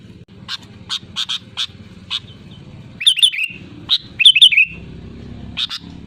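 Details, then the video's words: Sooty-headed bulbul calling loudly to rivals, used as a lure. Sharp clicky chips open the clip, then a burst of rapid, warbling whistled phrases, over a muddy low background hum. "SUARA ASLI BURUNG KUTILANG GACOR LANTANG MEMANGGIL LAWAN"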